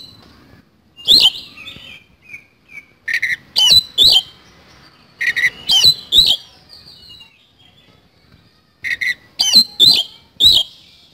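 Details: Oriental magpie-robin, isian kasan song: repeated short phrases of a rasping buzzy note then two or three sharp whistled slurs, every two to three seconds, with soft twittering in gaps.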